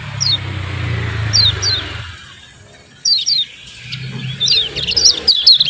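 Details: Javan white-eye song used as a lure to prompt reluctant white-eyes to sing: sharp descending chirps in pairs, then a busier burst of overlapping high chirps, over a low rumbling hum.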